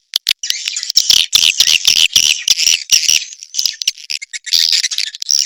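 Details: In an Indonesian 'sp kompak' sound for swiftlet farmers, swiftlets give a few clicks, then uneven bursts of high, buzzy, chattering twitters separated by short gaps.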